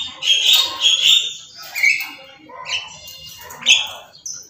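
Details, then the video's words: Captive Black-capped lory screaming continuously: a string of harsh, grating screeches and chattering squawks, some rising and some falling, coming every second or so. "Burung Nuri kepala Hitam Teriak gak henti"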